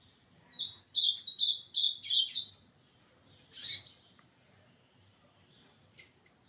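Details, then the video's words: Ultramarine grosbeak recorded on 21 December 2024, singing a quick two-second run of high, sweet warbled notes, then a few separate sharp chips after pauses. "Azulão cantador"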